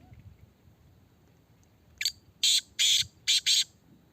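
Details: Caged Kala Teetar (Black francolin) in a red cage, being tested: after faint room noise, a single loud phrase of a click and four harsh rasping notes delivered quickly.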